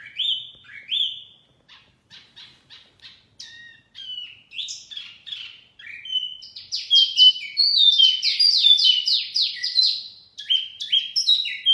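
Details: Mini wambi lure song opening with sparse whistles and ticking notes, building into a fast, dense chatter of overlapping high slurred chirps, then easing off.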